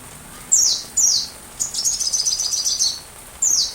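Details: Sunbird song used as training material for a white-rumped shama: high, thin notes that slur downward, three separate swoops around a brief sputtering trill in the middle.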